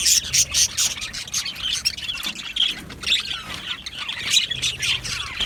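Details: Many Australian budgies calling together in an aviary during breeding and mating: a steady wash of shrill chirps and scratchy squawks, several birds overlapping with no pauses.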